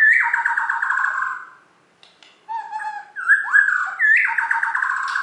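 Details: Champion Borneo white-rumped shama from West Kalimantan singing rich, loud whistled phrases: a descending trilled run, a brief pause, then low fluting notes and sweeping upslurred whistles in quick succession.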